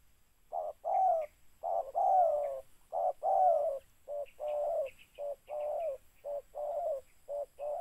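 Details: Spotted dove, locally tekukur, at a decoy bird-catching session: a rapid, fairly steady string of hoarse coos, alternating short clipped notes with longer falling ones, while faint high chirps from another bird come through in the background.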